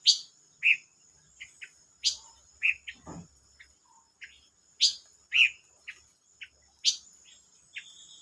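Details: Silver-eared mesia singing, dated 25 May 2022: regular pairs of piercing high chirps and mellow lower notes roughly every 1.5 seconds, soft ticks between, one low thump, and a steady high whine.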